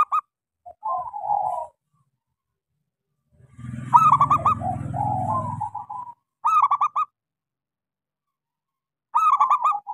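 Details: Local zebra dove lure song for getting silent doves to sing: repeated quick bursts of bright stuttered notes and rolling coos, with a loud low rumbling noise under the middle phrase.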